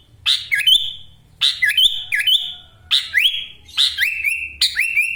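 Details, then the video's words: Kept sooty-headed bulbul of Wonosalam, East Java, singing hard: five phrases, each a harsh burst dipping then rising into a steady bright whistle, roughly one every second, the last two shorter and lower. "Kutilang gacor full isian Ngekek LB ngotot suara tembus"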